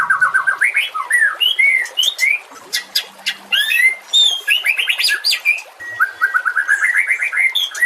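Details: Singing white-rumped shama on a master recording for other songbirds: quick stuttering series of repeated whistled notes, jumpy up-and-down phrases and high sharp chips, almost without pause.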